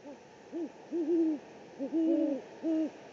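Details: Great horned owl at the Presidio, San Francisco, on 3 March 2019, gives deep, soft hoots in a stuttering series, a short note then longer drawn-out ones, repeated twice over a faint steady hiss.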